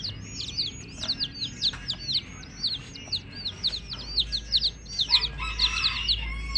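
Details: Baby chicks chirping continuously, thin falling peeps roughly twice a second, joined near the end by a louder, lower burst of clucking-like sound among the cheeps.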